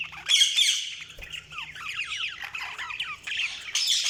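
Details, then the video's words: Budgerigar chatter in a dense, rapid run of high, scratchy warbles and squeaks, with short downslurred chirps repeated in quick succession and sharper squawks at the beginning and end. "Budgies Sounds| Budgies Chirping sound"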